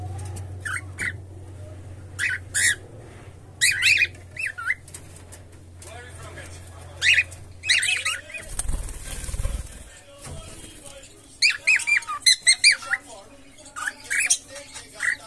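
A cockatiel sings in short bursts of chirpy, warbling whistles with brief pauses between phrases.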